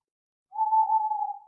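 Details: Night owl sound, one level, even hoot lasting about a second, slightly wavering, in otherwise silent surroundings.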